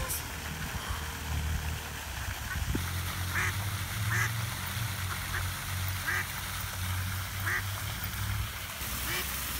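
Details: Ducklings trapped in a drain fountain in a park pond in spring cry with thin, high peeps about a second apart, over a steady low rush of water and murmuring voices, while a curious, friendly Italian greyhound listens.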